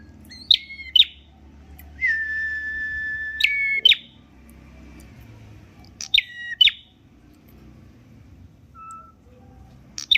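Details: A prenjak merah prinia, a prized champion bird, sings crisp pairs of high descending chirps followed by a long steady whistle, with faint low background noise between phrases.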